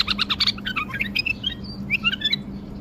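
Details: Bulbul in wing-flutter song, a rapid run of rich warbled notes followed by rising whistled phrases, a steady electrical hum in the background.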